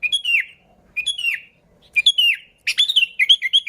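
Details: Sooty-headed bulbul singing as a lure to attract bulbuls: clear down-slurred whistled phrases about a second apart, closing with a quicker burst of bubbling, chattering notes.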